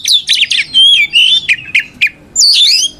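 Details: Kept white-rumped shama in full, loud fighting song to provoke other shamas: high clear whistles, quick downward-sweeping notes in a short series, then a warbled rising-falling phrase.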